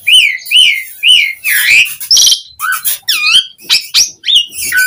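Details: Asian pied starling song for luring other starlings to reply: rising and falling whistled notes mixed with grating, squeaky calls and wheezy rasps in uneven bursts.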